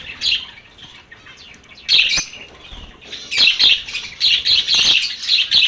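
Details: Rapid lovebird chatter, shrill chirps and squawks running together in dense bursts, growing busier and louder in the second half.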